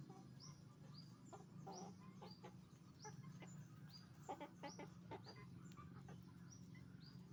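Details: Chicken farm with roosters and hens calling together: many overlapping clucks and rising squeaky notes, continuous low mechanical hum underneath.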